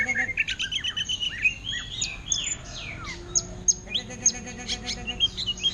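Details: Greater green leafbird in a cage, singing in orange-headed thrush style: a rush of sweeping whistles and chirps, then evenly spaced sharp chips about twice a second, over a low warbling hum.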